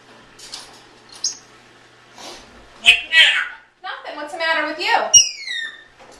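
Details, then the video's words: A 16-year-old adopted female African grey parrot talks indoors, repeatedly asking the same question while her owner cleans. Speech-like phrases come in short bursts, and a sharp falling whistle follows near the end. "Talking African Grey parrot"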